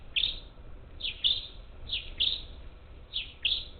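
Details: Parakeets at a Gulf Coast bird feeder on the outskirts of Houston, Texas, on 27 July 2021, with up to ten birds present; short harsh high chirps in pairs and singles, spaced irregularly about a second apart.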